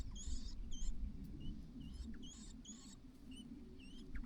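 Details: On fledging day, a White-browed laughingthrush mother calls her single chick out of the nest. Thin, high, upward-flicking squeaks come in irregular runs of roughly two per second, fading toward the end, with a constant low background hum.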